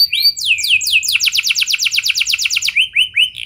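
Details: Canary lure song for getting other canaries to sing: a few upward-slurred notes lead into a fast, regular trill of about a dozen ringing notes, closing with short rising whistles.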